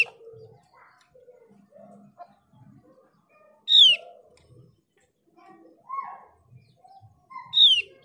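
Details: Mees's white-eye, played as a lure to draw other white-eyes into singing: two loud, sharp, high whistles sliding steeply downward, about four seconds apart, between soft low chatter and faint murmurs.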